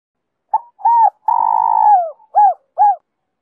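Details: Spotted dove cooing in the Giọng Kim 2 hậu song style, used to lure wild doves and get decoy birds calling. A brief note and an arched coo lead into a long, drawn-out falling coo, then two short arched coos.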